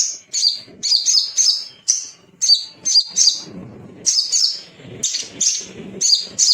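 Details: Male little spiderhunter (sogon) in agitated song meant to draw out rivals: clipped, high, sharp double notes repeated about twice per second, forming steady chattering phrases.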